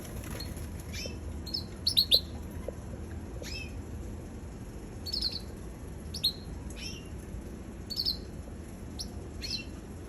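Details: Young red canary calling with brief high tweets in small clusters of two or three, spaced a second or more apart, against constant low hum and hiss.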